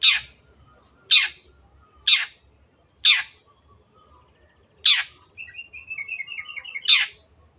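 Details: Long-tailed shrike in full voice, played as a lure to coax quiet birds into singing: loud, rasping downward-swept notes spaced about a second apart, with a soft rapid twittering run near the end.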